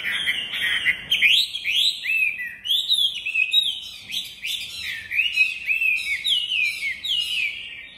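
A Chinese hwamei sings a loud, continuous stream of rich whistled phrases, each a quick rising-and-falling sweep, varied and tumbling without pause.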